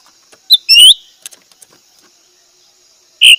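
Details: Cak ranting calling to a rival, giving one sharp high chip followed by a longer bright rising chirp, soft scattered ticks, and a final loud high chirp at the end.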